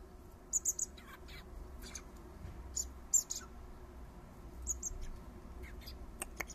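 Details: Garden recording of three common blackbird fledglings being fed by their father: sparse, piercing high-pitched begging squeaks in small groups of two or three, separated by quieter stretches with a low background rumble.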